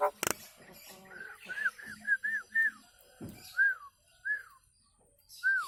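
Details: Nias hill myna whistling as a model song for caged birds: a sequence of clear arched whistles falling at the end, spaced unevenly, with one sharp click at the start.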